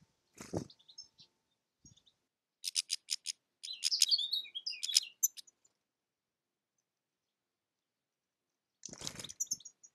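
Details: European goldfinch (Carduelis carduelis) giving bursts of rapid, high twittering chirps packed between three and five seconds, an opening burst and a closing burst near nine seconds, separated by stretches of silence.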